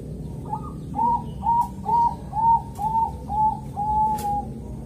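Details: Zebra dove giving its calm morning song in Kediri, East Java, used to entice other zebra doves to sing; a soft opening note, then seven evenly spaced whistled coos about twice a second, the last one drawn out, with a few clicks.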